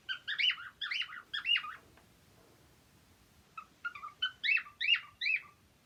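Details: Cheerful cockatiels singing in a fast, chattering run of bright, scratchy chirps that rise and fall. A brief pause is followed by another lively burst of repeated chirps. No other sounds stand out.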